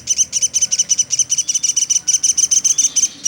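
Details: Woodpecker known locally as platuk sampit, kept as a tutor bird for songbirds, giving a steady series of high, clipped chirps about seven per second, evenly spaced and loud throughout.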